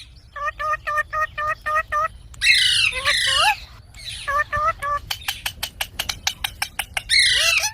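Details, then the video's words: Parrot, or Mitthu, giving rapid evenly spaced harmonic chirps, loud raspy squawks, and a stream of short clicking notes. "Funny Parrot Sounds Videos| Mitthu Ki Awaaz| Parrot Ki Awaaz"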